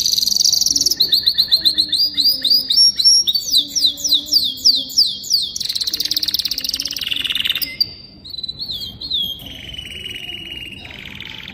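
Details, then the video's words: Young canary singing a varied song: high trills, a long series of repeated rising-falling chirped notes, loud rapid rolls, then wavering whistles and softer trilling at the end. "Chant canari jeune magnifique تغريدالكناري أصفر روعة Lagu kenari muda yang indah.canción canaria"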